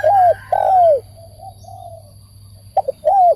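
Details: Spotted dove giving loud, mellow, downslurred coos: two strong notes at the start, softer fainter coos in between, then a short stuttered pair and a final drawn-out coo, over a faint steady low hum.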